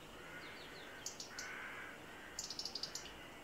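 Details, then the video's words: A European robin gives a sharp, high ticking alarm call in two quick bursts of four or five ticks over a steady hiss, warning of a cat entering the garden, around 11am on a bright May morning. "Robin (sounding an alarm call to warn other birds of nearby danger)"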